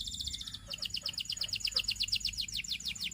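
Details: Belgian canary song made of a steady, rapidly repeated trill of bright, high notes, with low background hum throughout.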